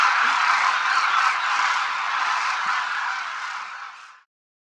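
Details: Demoiselle cranes in a large group over Rajasthan, India, flying in formation. A thick, unbroken chorus of many crooning voices holds steady, then fades away and stops before the end.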